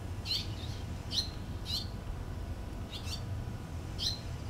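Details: Barn swallows feeding young in the nest on 6 June 2013; bright, sharp high chirps in small clusters spaced irregularly, against a persistent low-frequency hum.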